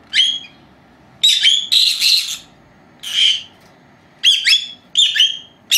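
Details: Young female lovebirds, two pets of four months, resting indoors, recorded by a self-running old camera; shrill chirps and a longer buzzy drawn-out squeal, then bent whistled notes in quick succession.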